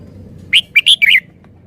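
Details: Red-whiskered bulbul delivering a sweet three-syllable song style: a quick burst of bright, slurred whistled notes, the last ones dropping in pitch, over quiet background.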